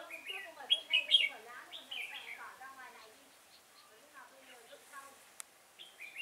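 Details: During bulbul trapping with a decoy at Chùa Hương, Vietnam, 5 March 2018, a red-whiskered bulbul gives rapid lively whistled notes in the first seconds, then fainter scattered chirps, while human voices murmur underneath and a sharp click sounds late.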